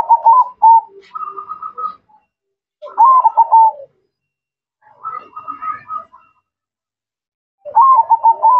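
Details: Zebra dove (perkutut) singing. Short cooing phrases of about a second each, made of quick stuttered notes at a low-mid pitch, repeat after pauses of one to two seconds.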